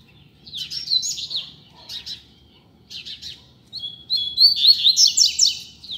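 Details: Double-collared seedeater flying free and singing on a street, offered as a learning tutor: short bursts of high chirpy phrases, then a longer rapid sequence of bright, slurred downward whistles, over a low hum.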